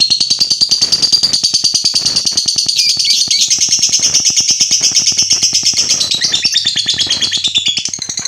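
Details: Lovebird song, played to provoke other lovebirds into singing: a long, continuous, high and shrill stream of rapid chattering notes, fast and unbroken for the whole stretch, with a steady buzzy pulse.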